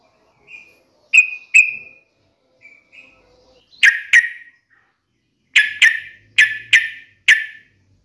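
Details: Lure recording of a sooty-headed bulbul meant to set a caged bird calling: a few soft whistled notes open, followed by bursts of sharp, buzzy chirps in pairs and runs of three to five, otherwise quiet.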